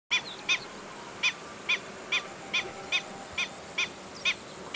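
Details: Black-winged stilt giving its squeaky, piping alarm call: short sharp kek notes repeated steadily about twice a second, each note clipped and nasal, over a quiet background hiss.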